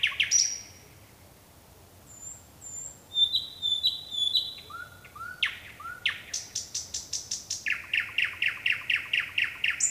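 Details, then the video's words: Nightingale singing at night: a sharp high note, then thin whistled notes in short runs, falling slurred whistles, and a fast rattling series of about fourteen repeated clicking notes. "НОЧНАЯ ПЕСНЯ СОЛОВЬЯ!"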